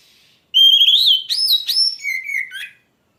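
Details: Oriental magpie-robin in full song: clear whistled notes rising and falling, a sharp high phrase, then lower slurred whistles closing the sequence.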